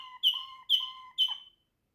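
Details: Waterslager canary giving three bright whistled phrases, each a sharp high note sliding into a sustained lower tone, evenly spaced about half a second apart, in a quiet setting.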